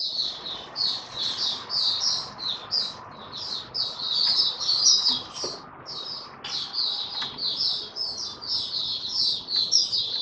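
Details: Caged white-eye, locally Mata Puteh, in sustained song while stabilising its form: a long, dense run of high rapid twittering notes in quick bursts, steady background noise throughout.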